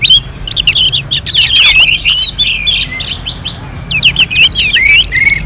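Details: Orange-headed thrush kept for song competitions in Singaraja, Bali, pouring out dense, jumbled high whistles and twittering notes, a brief lull midway, then another burst of rapid slurred phrases.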